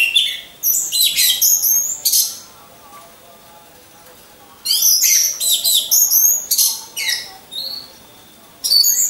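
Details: Caged orange-headed thrush, hung in a row with others for training, used as a lure for competition birds: loud bursts of high, sharp, varied phrases with downslurred whistles, separated by quiet pauses of about two seconds.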